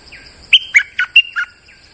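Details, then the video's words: Moulting bulbul's lure song: a lively phrase of five loud whistled notes, alternating higher and lower, with faint softer bird notes before and after and a steady high hum. "Suara pikat merbah lekir gacor"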